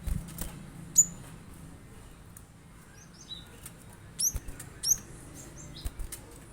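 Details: Cinereous tit, glatik batu, played to prompt a kept bird to sing along: sparse, very high, thin chirps with sharp downward sweeps, several spaced about half a second apart, with faint lower notes between and a low background hum.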